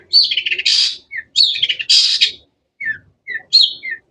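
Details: Cendet (long-tailed shrike) chirping in a quick series of harsh, buzzy, high bursts, then shorter sharp downslurred notes spaced about half a second apart.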